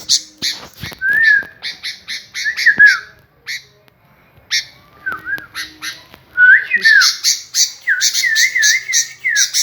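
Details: Nonstop responsive singing from a sooty-headed bulbul: loud dry chattering bursts mixed with looping whistled notes, a quiet gap midway, then a lively stretch of rapid wavering whistles and harsh rasps.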